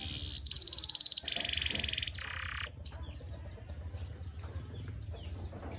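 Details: Canary singing in strong form: two dense rattling trills at the start, then a few scattered chirps over low background rumble.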